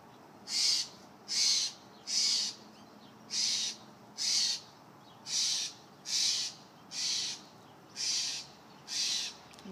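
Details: A juvenile Steller's jay gives harsh, raspy begging calls demanding peanuts, about one every second, steady and insistent, over a faint low background hum; the caller knows it as its "give me food" call.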